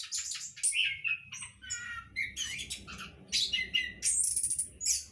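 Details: A captive-bred orange-headed thrush in a hanging cage gives a rapid, varied run of high chirps, trills and whistled notes, barely pausing, with a faint low hum behind.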